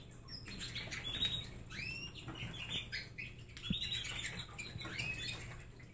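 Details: Pet canaries at a snack center of egg and fruit sticks and honey treats: quiet scattered chirps and short upswept twitters over a faint indoor hum.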